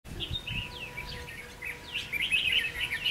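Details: Wild red-whiskered bulbul raising young, singing near a fighting trap with a decoy bird: bright chirps and short whistled, slurred notes in quick, uneven bursts over a low rumble of background noise.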